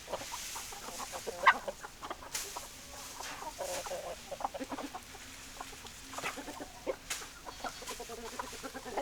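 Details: Hens clucking: a steady run of short, low, repeated clucks from several birds, with a few louder, sharper squawks rising above them.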